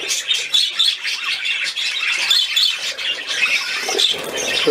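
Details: Budgerigars at play on 13 December 2019: lively high chirps and scratchy squawks pour out in uneven bursts, with brief dips between them.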